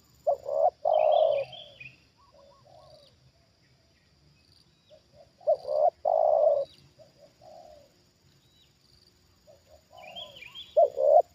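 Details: Decoy spotted dove reacting to a wild bird lured down for a second time: three loud rough coo phrases about five seconds apart, each trailed by soft low coos, with brief high twittering from another bird between.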